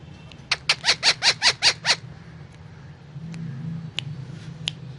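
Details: Indian ringneck parrot eating guava between talking: about eight quick, regular buzzy pulses in under two seconds, then quiet with a low rumbling hum and a few sharp clicks.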